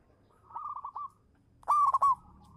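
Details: Local zebra dove lure song: a soft series of rapid stuttered coos, a short pause, then one loud, rolling burst of quick notes trailing into a quiet coo.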